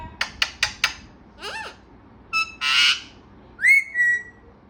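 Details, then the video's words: Talkative pet parrot producing four sharp clicks, a wavering warble, a short tone, a broad harsh burst and then a rising whistle that levels out, over faint background hum. "बातुनी तोता"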